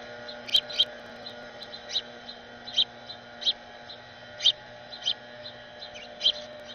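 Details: Young house finches excitedly begging from and following their parents; sharp, high, clipped chirps at irregular intervals, about nine over several seconds, some in close pairs, above a faint steady background hum.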